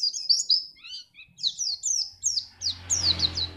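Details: Fast, continuous chain of high, sweet slurred notes from a Pacitan white-eye, meant to make other birds sing for contests, with a low rumble and hiss building near the end.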